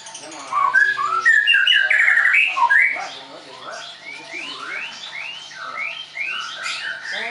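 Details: Caged Leuser white-rumped shama at a bird-training school in Tangerang, Indonesia, singing a fast varied run of rising and falling whistled and warbled phrases. Loud at first, then softer and more scattered, with faint background sounds.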